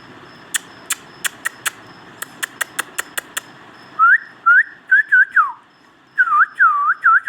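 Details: Pet ringneck parrot indoors. Evenly spaced sharp clicks come first, then a burst of loud whistled notes: short dipping slurs and a falling glide, repeated in two quick groups.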